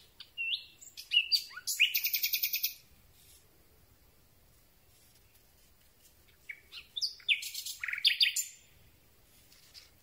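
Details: Common Nightingale in full night song, recorded close up: two phrases about four seconds apart, each built from high sliding whistles and ending in a rapid, loud, rattling trill of repeated notes.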